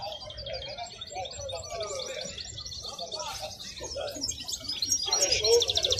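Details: A wild-caught European goldfinch at a market gives a fast, tinkling twitter of high chirps and buzzy trills over steady market chatter, with voices beneath and other small birds calling.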